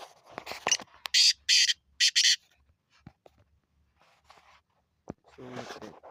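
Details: A black francolin gives one loud grating phrase of harsh, buzzy syllables, preceded and followed by softer clicks, rustles and faint background noise.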